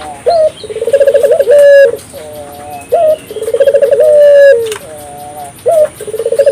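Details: Actively calling African collared dove, played to prompt other local doves to join in; repeated coos each open with a brief note, roll into a quavering trill and end in a drawn-out tone, with faint bird chirps.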